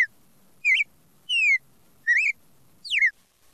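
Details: Red-crested cardinal, classic song style: four bright whistled phrases at a lively pace, an upslurred chirp, a long smoothly falling whistle, another rising note and a steep downward slur, with faint low hum behind.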